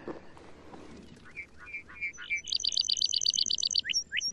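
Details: Lark bunting, a male, singing close by: a few slurred whistled notes, then a fast series of high buzzy trilled units, then two rising whistles; faint low background noise early on.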